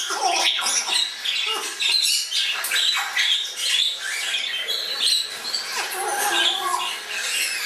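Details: Indoor flock of fledgling Congo and Timneh African grey parrots near Dallas, Texas, with continuous rough squawks, clicks and short whistles overlapping throughout.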